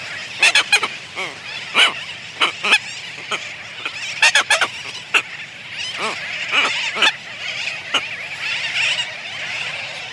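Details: Red-tailed tropicbird pair on their nest giving greeting calls: harsh, rasping squawks in quick clusters, about a dozen in ten seconds, over the constant busy chatter of a sooty tern colony.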